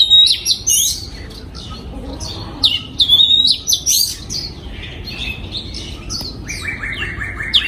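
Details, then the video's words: Aviary-kept breeding oriental magpie-robin, 2022, singing varied high whistles and chattering notes in bursts, ending with a rapid series of buzzy repeated notes. "Giọng Chim Choè Than Hót"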